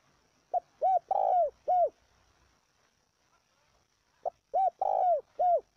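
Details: Spotted dove calling to excite and train decoys: two matching phrases about three and a half seconds apart, each a short pip followed by three hollow, rising-falling coos, the middle drawn out.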